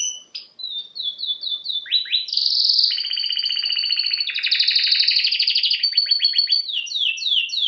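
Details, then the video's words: Singing canary: a few separate chirps, a series of downslurred notes, then long fast rolling trills and closing rapid descending notes. "Canary bird Singing"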